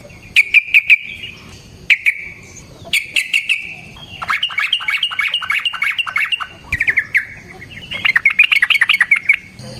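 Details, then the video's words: Yellow-vented bulbul (trucukan) in energetic fighting song meant as a lure: a continuous run of bubbling, chattering notes, with short bursts at first, then a long rapid rattling stretch and a final warbled phrase. "Suara Burung TRUCUKAN gacor TARUNG ROPEL PANJANG pancingan trucukan agar JADI trucuk gacor EMOSI"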